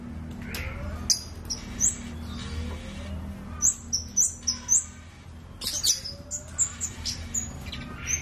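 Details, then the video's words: Scarlet-backed flowerpecker singing actively: sharp, high, clipped chirps repeated in quick bursts, with fainter lower thin whistles and a steady low hum in the background. "BURUNG KEMADE GACOORR suaranya indah sekali"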